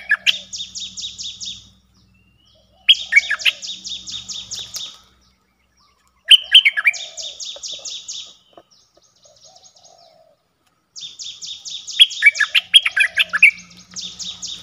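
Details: A streak-eared bulbul repeats its song four times, with silent gaps between. Each phrase is a rapid trill of high, downslurred notes mixed with loud, sharp chirps, over faint lower warbling.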